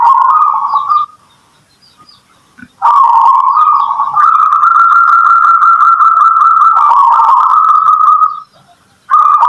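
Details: Local zebra dove lure recording meant to make listening doves reply: steady, humming coo phrases, one lasting about four seconds and rising slightly, separated by quiet pauses, with faint higher chirps.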